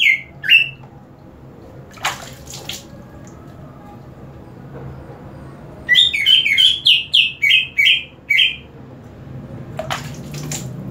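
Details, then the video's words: Green leafbird being sprayed with water, responding by singing harder: two opening whistles, a pause broken by splashing, then a fast string of about nine bright slurred notes, followed by another burst of spray. "CUCAK IJO INI DISIRAM AIR MALAH MAKIN MENJADI"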